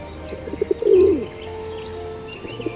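A pigeon gives one low, soft, throaty coo lasting about half a second. Faint high chirps from small birds and a steady low hum are also heard.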